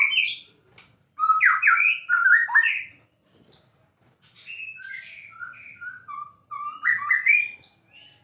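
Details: White-rumped shama, a singing bird kept as a champion songbird, singing loud slurred warbles, a high whistle, then a run of clear descending and rising whistled notes and a final high flourish.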